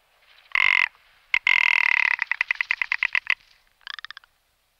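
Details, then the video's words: Rock ptarmigan calling: a harsh, grating croak and then a long rasp that breaks into a rapid series of clicking pulses, ending with a fainter short rattle. "Lagopus mutus / Rock ptarmigan"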